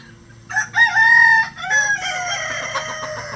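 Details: Farmyard rooster, one of twenty or more standard-size and bantam cocks, crowing loudly: two bright harmonic syllables followed by a long note gliding slowly downward, with a faint second bird behind.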